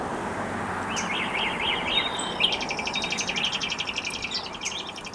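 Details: Mourning warbler from Collingwood, Ontario, Canada, giving a run of about five repeated zigzagging slurred notes. A fast, higher, buzzy trill from another bird follows over steady background hiss.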